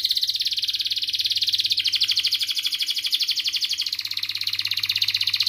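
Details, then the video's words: Singing canary, a long song intended to train young birds and revive silent ones; an unbroken, rattling high trill throughout, shifting its tone slightly midway, over a soft electrical hum. "kenari gacor panjang Cuit Cuit EMOSI, Pancingan Kenari Paud Belajar Bunyi, terapi AMPUH Kenari MACET"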